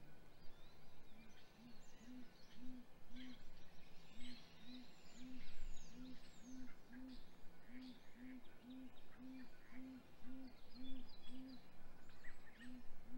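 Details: Great gray owls calling at the nest, morning of 27 April 2020 in hatch week, as the male brings prey to the female: a long series of low, muffled hoots in quick, evenly spaced runs, with faint small-bird chirps in the background.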